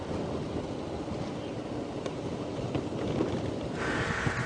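Broad wind and vehicle rumble on an early-morning safari drive, getting a little louder toward the end, with no animal voice heard.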